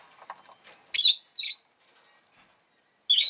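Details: ['Rosy-faced lovebird, a pet, making a harsh chirp followed closely by a shorter one, then another after a pause; soft clicks and rustles come before.']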